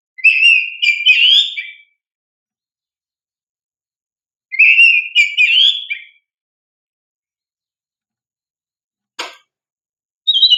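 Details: Oriental magpie-robin (kacer) in loud, prolific 'gacor' song, used as a lure to provoke untrained young birds to respond: two rich whistled phrases of warbling, sliding notes about three seconds apart, a single sharp click, then another phrase beginning.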